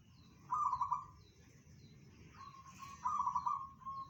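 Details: Local zebra dove delivering bedah karang song, said to carry 500 meters: two trilled, beaded coo phrases about two and a half seconds apart, with softer steady tonal notes trailing the second phrase.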